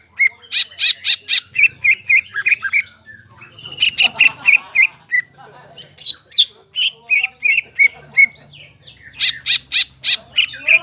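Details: Energetic song of a crest-raised greater green leafbird, meant to rekindle singing in stressed leafbirds: bursts of quick repeated chirps alternating with varied whistled and squeaky notes, separated by softer, quieter gaps with faint low hum.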